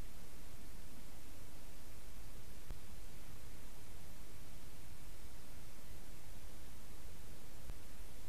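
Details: Constant hiss of static fills the room, broken only by two faint clicks, with no animal voice.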